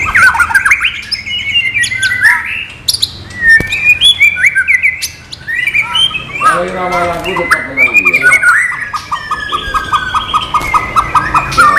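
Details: White-rumped shama song without bubbling notes, used as training material: varied fluty whistles and sliding phrases, a run of quick stuttering notes, and long drawn whistles toward the end.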